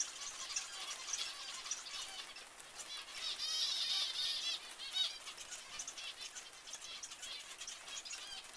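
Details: A group of zebra finches chatters in short, nasal beeps and trumpet-like calls, busiest around the middle, with quick overlapping repeats and a faint rustle beneath.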